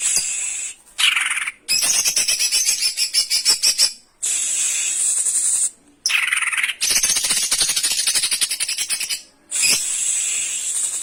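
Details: Cocak ijo, the greater green leafbird, singing a lure song meant to provoke other birds, with harsh rapid bursts known as tembakan kasaran: long piercing high notes alternate with dense, fast rattling trills, separated by short silent breaks.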